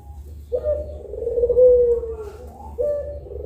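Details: Two pelung collared doves at midday producing a long, low coo that swells and then sinks gently, with the next coo starting near the end.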